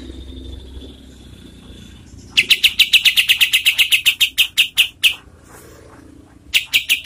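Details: Kapas tembak singing as tutor material for competition birds: after a faint thin whistle, a fast rattling roll of crisp high notes runs for nearly three seconds, slowing toward its end, then a short renewed burst.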